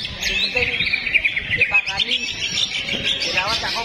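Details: A male greater green leafbird (cucak hijau) named Rudal, a competition bird, pours out a fast, continuous run of bright chirps, trills and whistled notes, high-pitched and unbroken. People talk quietly underneath.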